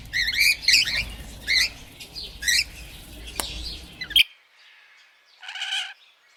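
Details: Parrot giving a run of harsh, wavering squawks and warbled chatter over a steady low rumble of background noise, then a short quiet gap and one last buzzy call.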